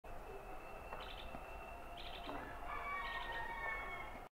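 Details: Asian green bee-eater (Merops orientalis) giving short bursts of high, rapid trilled notes against a noisy background.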